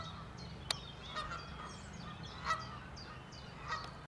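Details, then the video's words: Canada goose giving a few honking calls, spaced a second or so apart, over a steady low background rumble. "Canada Goose calling"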